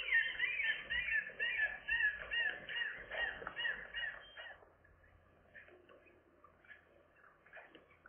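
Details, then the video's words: Gull chicks newly able to fly, 7 July 2022: a regular series of hoarse, cawing calls about two per second for four seconds, then quieter scattered calls further off. "seagull chicks, airborne day"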